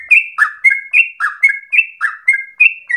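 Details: Yellow-vented bulbul (trucukan) singing vigorously in long rolling phrases said to resemble straw-headed bulbul song; clear whistled notes alternate between a higher flat tone and a lower downslurred one, about three per second, with no other sounds.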